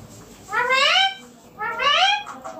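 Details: Green ringneck parrot sitting on a neem tree, uttering two drawn-out, rising-then-falling harmonic squawks about a second apart, each roughly half a second long.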